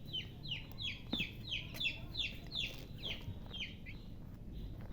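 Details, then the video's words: Baby chicks chirping loudly, repeated high peeps that slide downward, roughly three every second, with a few sharp knocks and clicks in the background. "Baby "Chicks Chirping" Sound"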